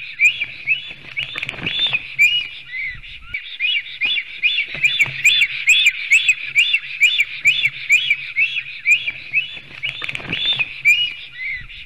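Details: Black storks at a nest in Sigulda municipality, Latvia, with a male, a female and a fight between two males, at 10:43 am on 11 June 2020, from a live nest camera. Fast repeated high whistled chirps, about two per second, run continuously over a faint low hum.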